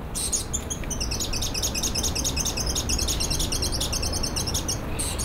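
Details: Plain-mantled tit-spinetail, recorded around 2005 to 2007: a rapid series of high, thin, dry notes repeated quickly over several seconds, with a steady low background rumble.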